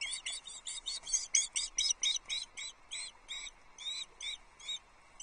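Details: Osprey chick begging as breakfast arrives at the nest at Loch Arkaig, 9 July 2022, early morning: a series of high, thin, piping calls, repeated rapidly and unevenly, fading toward the end.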